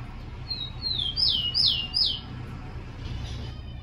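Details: Rufous-collared sparrow (tico-tico) song, played to train and warm up captive birds to sing: a thin high whistled note, then three or four loud slurred whistles each sweeping downward, over a faint low hum.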